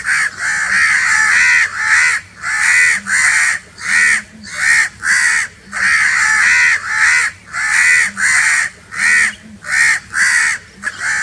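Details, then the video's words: Crows giving very loud, harsh caws in a steady series of short, rasping blasts, about a dozen spaced through the stretch, each call broad and grating with a brief gap between. "Very Loud crowing sounds of crow birds"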